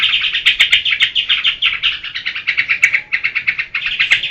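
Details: Rhythmic pulsing chatter of a yellow-vented bulbul in geberan style, clearly separated harsh notes repeated several times a second, with a few sharp clicks overlaid.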